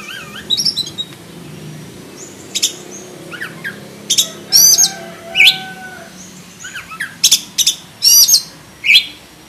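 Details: Oriental magpie-robin, black-breasted form, singing a varied full song: separate sharp whistled notes and short buzzy phrases spaced with pauses, over steady background hiss.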